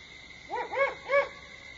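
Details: Great horned owl calling at Starr Ranch at 4:30 AM on 21 September 2011: a short series of three deep, soft hoots, the last two stronger, over a steady insect hiss.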